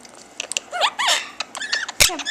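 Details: Two pet Quaker parrots chattering indoors: a rapid jumble of squeaky chirps, clicks and arched, whistled notes sliding up and down, with brief harsher squawks near the end.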